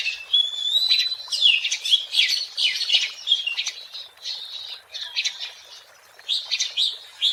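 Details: Wild Oriental magpie-robin song used as a lure for catching birds: a fast string of varied chirps, squawky notes and short whistles, delivered in bursts with brief gaps, a faint second bird note near the start.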